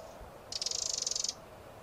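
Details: A single rapid, high, buzzing rattle of about fifteen quick pulses, lasting under a second, from a Eurasian wren.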